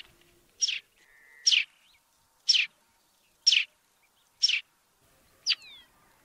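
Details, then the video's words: Sparrow recorded in Africa: six crisp chirps, about one each second, each a brief falling note, with a short level whistle after the second and a thin sliding note at the end. "Воробей. Африка. Голоса птиц"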